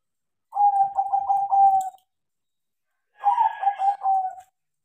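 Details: Crossbred zebra dove, tame and singing often because of training: two separate phrases, each a quick run of rolling, pulsed notes settling into a drawn-out, clear coo, with silence between.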